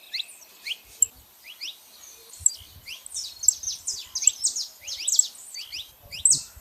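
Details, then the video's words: Saffron finch singing outdoors in nature, quieter and more distant, with overlapping thin high chirps and slurred notes tumbling in irregular clusters, a faint steady hiss and occasional low thumps behind. "canário da terra fazendo barulho na natureza"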